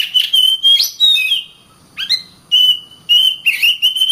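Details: Oriental magpie-robin training song: sustained pure whistles held steady, a few sharp upward-flicked notes and clicks, with a short quiet pause mid-phrase.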